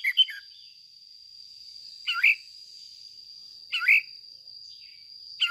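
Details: Caged red-whiskered bulbul used as a lure for training song: brief slurred whistled bursts, each rising then dipping, spaced about one and a half to two seconds apart, over a faint continuous high whine.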